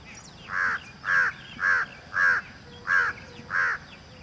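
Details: Peafowl giving loud, ringing, nasal calls repeated about every half second, six in a row, over low background noise.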